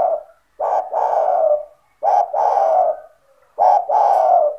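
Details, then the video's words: Spotted dove, known locally as tekukur, a kept bird cooing to lure other doves: three low hoarse phrases, each a short note followed by a longer drawn-out coo, about every one and a half seconds. "SEMUA TEKUKUR / DERKUKU AKAN TERPIKAT DENGAN SUARA TEKUKUR GACOR INI"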